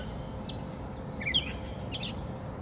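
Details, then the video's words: Gray catbird singing in Portage, Michigan: a few short, varied notes, some chirpy and some slurred, scattered irregularly about a second apart. A steady low rumble fills the background. "Gray Catbird singing"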